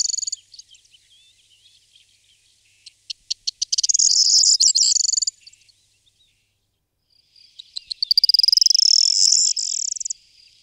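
Corn bunting song: a few separate ticks speed up into a high, dry, jangling rattle, like shaken keys, about two seconds long. It comes twice, with quiet between.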